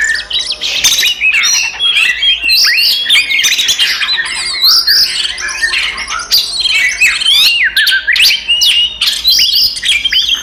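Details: Oriental magpie-robin delivering a lengthy fighting song to provoke other magpie-robins: relentless mix of harsh squawks, sharp clicks and swooping whistles, dense and loud throughout with choppy, stuttering phrases.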